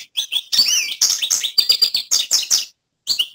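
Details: American goldfinch in winter in Missouri giving a rapid run of high, varied twitters and sweet warbled notes, with a brief pause before a final burst.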